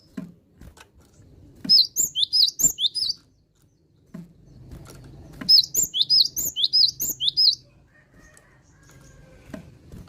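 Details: Java sparrow, an accomplished singer, delivering two phrases of quick clear high bell-like notes about two seconds each, with soft thuds and low background rumble around them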